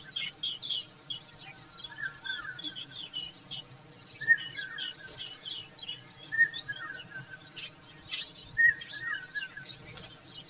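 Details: Indian common babbler fanning its chicks with its feathers; harsh, slightly descending chirping calls repeated about every two seconds, with faint high twitters and brief rustling bursts over a steady hiss.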